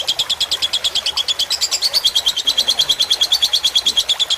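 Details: Lovebird fighter-type tutor song with trickling water for birds to learn; long run of rapid, shrill chattering notes at about three per second, steady and high-pitched, over soft background hiss.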